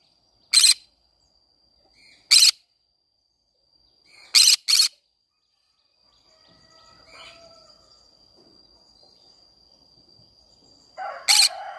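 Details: Green-cheeked conure calling in a flower garden: scattered harsh, grating squawks, single and paired, spaced a few seconds apart, with faint chirps from other birds between them.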